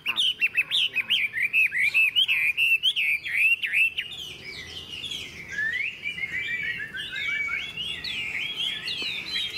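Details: Morning song of a tame caged Chinese hwamei put out in the sun after fresh food: a steady stream of rapid, looping whistled notes, later softer and more warbling.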